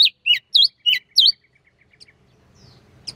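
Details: Sooty-headed bulbul singing relaxed in the morning, used to stir other bulbuls to sing, gives five quick, bubbly whistled notes, each with a sharp rising-falling twist, in just over a second, then a few faint chips.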